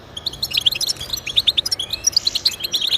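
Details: Bright, clear goldfinch twittering used as singing encouragement for pet goldfinches, with crisp high notes repeated in quick succession roughly every tenth of a second over three seconds.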